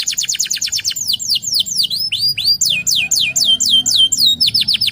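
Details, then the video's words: Local canary song opening with a quick trill of identical whistles, then a steady series of loud down-slurred swooping notes, ending in another rapid trill. "PANCINGAN KENARI LOKAL GACOR"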